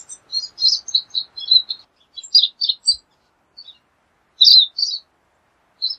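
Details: Busy high twittering of a pine siskin, a long string of quick chips followed by sparser paired notes and isolated chirps.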